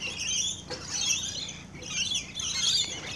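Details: Several rainbow lorikeets at close range while feeding, giving steady shrill screechy twittering in overlapping waves, with a faint tap or two beneath.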